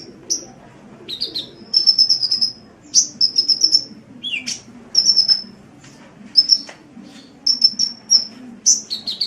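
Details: Sunbird song for training cage birds: high trilled whistles in short runs, mixed with single bright chirps and a lower downslurred note, repeated irregularly.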